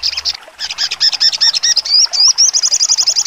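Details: Sogon, crimson sunbird, sharp trotol singing: stuttering chirps give way to a string of rising whistled loops, then a fast, steady, very high trill at the close.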